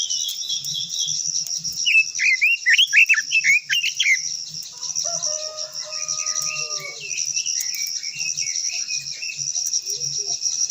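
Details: Japanese white-eye, a long-voiced singer, gives a rapid tumbling burst of high whistled warbles. Quieter chirps follow, with a plain steady tone and a continuous high insect drone in the background.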